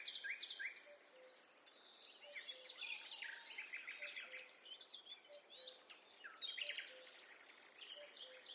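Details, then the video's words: A chorus of forest birds on a quiet walk: dense high twittering, rapid chip notes and short trills from several birds, with a faint low tone repeating underneath. "A peaceful walk in the forest accompanied by the sound of birds"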